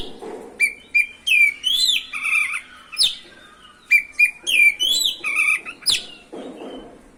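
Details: Kacer, the oriental magpie-robin, singing to provoke other magpie-robins: rising whistled phrases mixed with buzzy harsh notes, repeated in two similar sequences with brief gaps.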